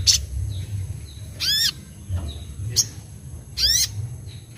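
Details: Crimson Sunbird singing vigorously gives four sharp, high, sweeping chips about once a second, with thin faint whistles between them over a low background rumble.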